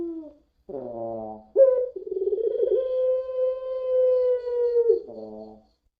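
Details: Puter pelung spotted dove lure recording: short harmonic coo fragments lead into one very long, level, sustained cooing note lasting about three seconds, ending in a brief rough harmonic phrase.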